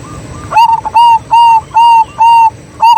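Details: Local Zebra dove whose song serves as a lure to stir other doves: a quick run of six clipped, whistled coos, each short and level, spaced about a third of a second apart, preceded by two softer notes.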